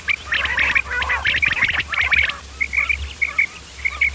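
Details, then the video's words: Common quail, male and female calls of the kind used to lure quail for hunting: bright, short chirping notes in quick bursts, then spaced paired notes about twice a second, over a steady low hum. "Batair ki Awaz bima kirak / quail sound effect"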